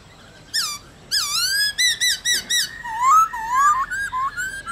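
A laughingthrush sings rich, varied whistled phrases, some slurring up and down, delivered in quick bursts about every half second; the background is quiet.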